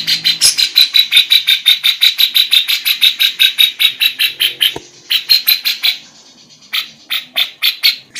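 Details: A female lovebird sings with kapas tembak and cucak jenggot phrasing: rapid, regular buzzy chirps about three per second, a brief near-silent break after five seconds, then the chatter resumes in shorter bursts.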